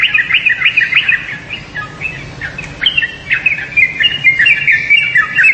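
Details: Yellow-vented bulbul calling in bursts of quick, liquid chirps, a brief quieter gap in the middle, then a renewed busy chatter of slurred up-and-down notes.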